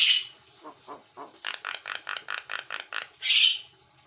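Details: Javan myna, white-eyed type, singing gacor: a harsh opening squawk, a few soft low notes, a steady train of about eight hoarse pulses, then a loud rasping burst.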